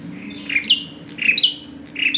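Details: Bar-winged prinia, lively singer used as a lure: three rapid buzzy, slightly rising high notes spaced about half a second apart, with a low continuous hum behind.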